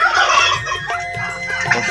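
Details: Five-month-old turkeys giving a jumble of short, rough, overlapping calls.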